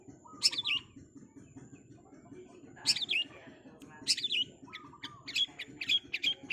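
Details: Long-tailed shrike in a fast-song masteran track: spaced bursts of shrill, twisting squeaks, ending in a quicker flurry of chirps. Soft low trills and a humming background are also heard.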